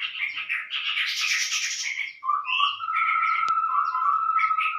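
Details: Lure call of the chestnut-rumped babbler for attracting birds: a busy harsh chatter gives way to a long level whistled trill, with a sharp click partway through.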